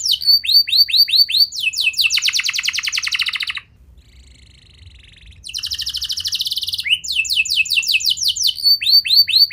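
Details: Canary song meant to get young canaries singing. Repeated slurred whistles lead into a fast buzzing trill, then a pause of almost two seconds with only faint notes, after which trills and repeated swept notes resume.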